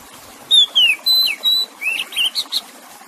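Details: Oriental magpie-robin song played for relaxation to help stressed or silent birds sing again: clear whistled notes, some flat and sustained, others sliding downward or upward, delivered in a rapid varied phrase over a soft background hiss of water.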